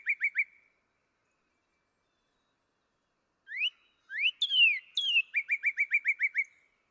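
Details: Northern cardinal phrases, likened to a laser beam: three quick upslurred whistles, a pause, then rising and falling slurred whistles and a fast run of about ten sharp repeated notes, clean and without background noise.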